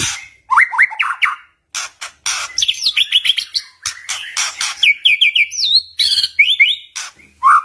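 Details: White-rumped shama; song; provoking rival shamas into singing back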